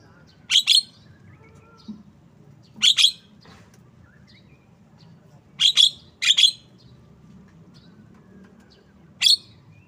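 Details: Javan myna song of rasping double notes with a whistled edge, sounded in paired bursts at irregular intervals, then a single final note, against a quiet low hum.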